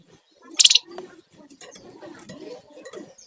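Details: Sunda warbler in lively song, in the rattling (ngebren) and whistling (nyiul) styles, kept as a lure and master for songbirds; a short, loud, harsh rattling burst early on, followed by soft low rumbling background sounds.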